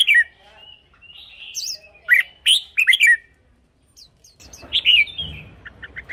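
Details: Red-whiskered bulbul singing, for decoy use or to make caged birds lively: varied warbling whistles and quick chirpy phrases, briefly broken by a quiet pause, then resuming over light background noise.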